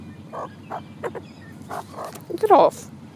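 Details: Several magpies, together with twenty-eight parrots, joining a person for breakfast near Lake Cliffe and making unusual noises. Short hoarse calls come about every half second, ending in a louder, more complex burst. A low steady rumble runs underneath.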